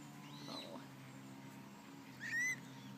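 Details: Eurasian coot (Fulica atra) chick, filmed up close with its parents, gives one short, thin, rising peep near the end after a faint earlier call, over a steady low hum.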